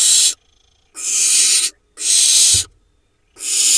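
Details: Nestling barn owls preening in their nest, Hula Valley, Israel, 7 July 2021: four loud, noisy hisses lasting under a second each, spaced by brief silences, one soft knock in a gap.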